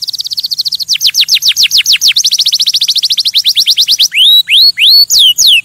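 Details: Canary song to stimulate other birds for mating: a fast high trill, then a long series of loud down-slurred notes speeding up, finishing with slow, loud rising-then-falling whistled notes.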